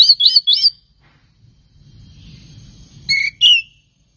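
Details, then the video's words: Oriental magpie-robin song for provoking other birds into singing: three quick rising whistled chirps, a long quiet gap with faint low hum, then two more sharp whistled notes. "SUARA BURUNG KACER INI AMPUH UNTUK PANCINGAN KACER AGAR CEPAT KONSLET DAN NGEPLONG"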